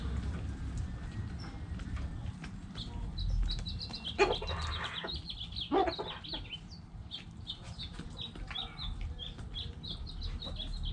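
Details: Backyard hens clucking amid a busy yard: rows of high chirps run through the clip, with two louder broad bursts near four and six seconds over low background rumble.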